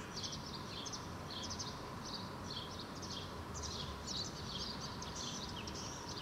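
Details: House sparrows in a park in Helsinki, Finland, June 2013, a male parent feeding his fledglings: dense, rapid chirping in busy overlapping bursts that runs without pause, over a steady low rumble of distant traffic.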